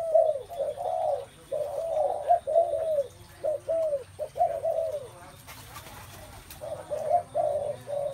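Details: Steady run of mellow spotted dove coos, several notes linked into phrases with brief pauses. A low background hum runs underneath, with a short crackle midway.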